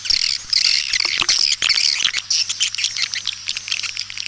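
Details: Kaltimtara lure call meant to attract white-nest swiftlets to nest houses, tested in East Kalimantan. A crowded mass of sharp, high squeaky chirps and buzzy trills runs over a faint low hum.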